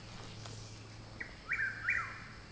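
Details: In woods behind a home, a Chuck-will's-widow gives a single song: a brief soft lead-in note, then two strong whistled phrases climbing and dropping, above a low background hum.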